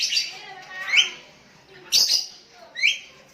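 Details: Sooty-headed bulbul calling to a rival, other bulbuls answering: short rising whistled notes paired with harsh scratchy bursts, about one phrase each second.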